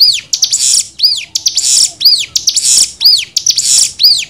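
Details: Cigun song variation used as masteran for young birds: repeated phrases of a high arched whistle followed by a harsh, buzzy burst, roughly one phrase every 0.7 seconds.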